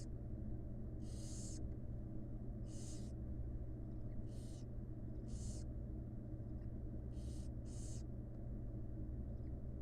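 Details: Inside a wild nest box under study, barn owl chicks receiving food from their mother give seven breathy, noisy hisses, some in quick pairs, against a persistent low-pitched hum.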